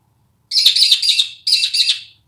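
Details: Australian magpie, a wild bird in Australia, delivering two rough, rattling, warbled phrases, the first longer and about a second long, against an otherwise silent background.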